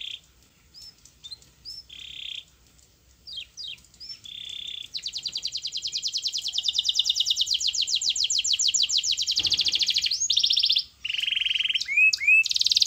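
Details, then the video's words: Canary song meant to make silent canaries answer: short high chirps and buzzy bursts, then a long fast rolling trill of rapidly repeated notes lasting several seconds, followed by more chirps and buzzy phrases. "Kenari Gacor PANGGILAN JITU Kenari Diam Bakal Nyaut || Pancingan kenari"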